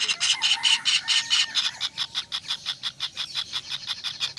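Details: Kingfisher chicks give rhythmic, harsh, hissing calls roughly twice a second, loud at first and then slightly softer, against a noisy background hiss.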